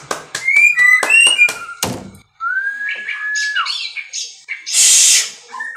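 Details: Captive-bred white-rumped shama giving quick paired whistles, then one long level whistled note, soft twitters and a sudden harsh hissing rasp.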